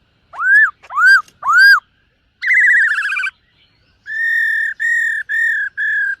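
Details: Black-throated laughingthrush in morning voice-training song, múa style: three loud upswept whistles, then a wavering, vibrato whistle, and four level clear whistles in even succession.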